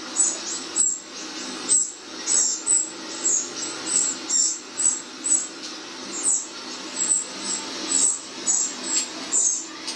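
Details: Wrens in a garden reacting to playback keep up a steady stream of high, sharp chirps for ten seconds, close to two per second, with a faint low rumble behind.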